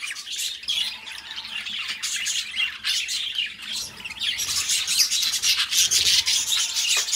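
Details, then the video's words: Budgerigars chattering as companionship sounds for pet budgies: dense, scratchy warbling with squeaky chirps and rasping notes, continuous and busy, growing louder in the second half. "Parrots singing beautiful birds voice beautiful budgies birds sounds"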